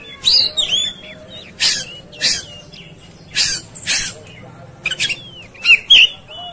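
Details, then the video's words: Oriental magpie-robin, agitated and fighting: loud harsh rasping bursts about every second, mixed with short whistled and slurred notes near the top of the range, in a fairly quiet background. "Segala Kacer Ikut Ngamuk Tarung"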